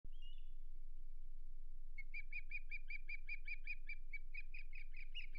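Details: Osprey at the Hog Island nest on 8 May 2023 during a failed fish delivery. A short whistle opens, then a fast, even series of high chirps runs about four per second over a steady low rumble.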